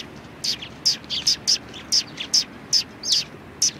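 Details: Neighbouring flock of sparrows at a Tenmangu shrine, 14 March 2019, giving bright, high, clipped chirps about every half second, some doubled, against a quiet low rumble.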